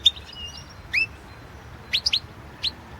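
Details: European goldfinch from the 2016 World Championship in Goldfinch Song: a few separate high chirps and short upward-sweeping notes, including a quick group of three, against a quiet background.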